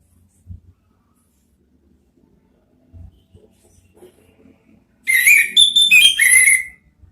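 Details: Orange-headed thrush song played as a training recording: after soft clicks and near silence, one loud burst of varied whistles, trills and chattering notes lasting about one and a half seconds.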